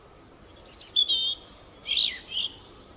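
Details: European robin singing: a high, rapid phrase of thin tinkling notes, short trills and sharp chips, with a brief lower dipping whistle near the end, clear against quiet background.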